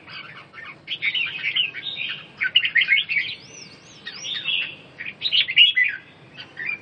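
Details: Red-whiskered bulbul song used for birds recovering from cough and weak breathing. Clusters of rich chirping phrases separated by short lulls, with a wavering high whistle in the middle.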